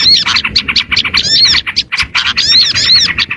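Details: Lure sound for small birds: quick, high, scratchy chirps and twitters in dense clusters, several birds calling over each other with only brief gaps.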